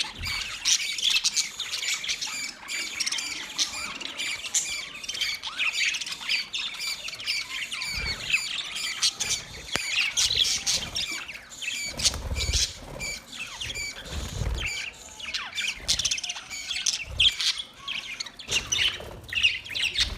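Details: A flock of budgerigars (Melopsittacus undulatus) fills the air with dense, overlapping chirps, squawks and warbling chatter.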